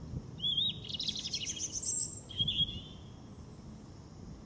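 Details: European robin singing in the Veerse bos woodland, dated 080314; high, thin warbled phrases with tinkling trills and sliding whistles, two bursts separated by a short pause, over a low rumble of background noise.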